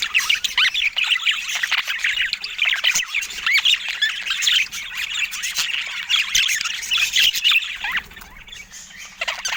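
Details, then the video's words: Colourful pet budgerigars fill the air with constant overlapping chatter: rapid chirps, harsh squawks and warbled notes from many birds, easing slightly near the end, with a faint low hum underneath. "Calming Budgies for Stress Relief"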